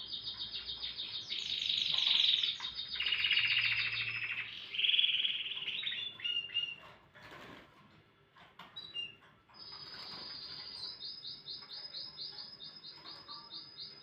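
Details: Canary in morning song, loud rapid rolling trills shifting pitch, fading to scattered soft notes and a short pause, then a steady high buzzy trill resumes.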